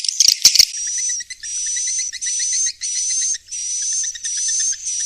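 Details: Swiftlet roosting lure, intended to keep young swiftlets settled in a swiftlet house: a few loud sharp chirps open, followed by steady hissing buzz bursts with a high whistle and faint quick clicks beneath.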